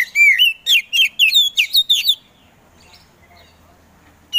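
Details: Oriental magpie-robin, a kept songbird, giving a rapid burst of loud, rich whistled notes with sweeping slurs for about two seconds, then near silence before another note begins.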